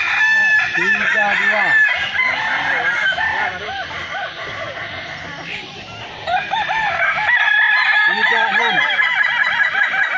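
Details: Balenggek roosters at a crowing festival in Kota Solok, several birds crowing at once in long wavering, multi-note crows that overlap continuously, with a brief lull midway and a faint crowd murmur beneath.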